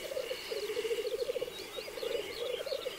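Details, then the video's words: At a 2023 black grouse lek where cocks fight and mate, a dense bubbling, gurgling rookoo rolls on nearly without pause, broken into quick pulses, with faint higher hissing and chattering overtones. "Galli forcelli sulle arene di canto"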